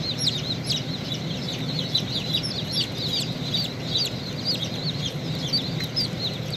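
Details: Domestic chicks around a baby chick hatching out of its shell: many high, down-slurred peeps overlapping continuously, over a steady low machine hum.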